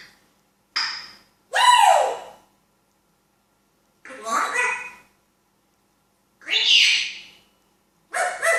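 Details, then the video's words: Talking African grey parrot uttering several speech-like phrases and syllables with pauses of one to two seconds between them, in an otherwise quiet room. "Talking African Grey parrot"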